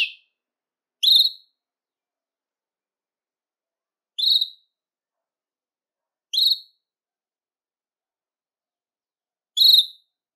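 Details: Belgian canary singing to stimulate males and bring females into breeding condition: isolated short, high whistled notes with ringing overtones, spaced irregularly every two to three seconds, silence between.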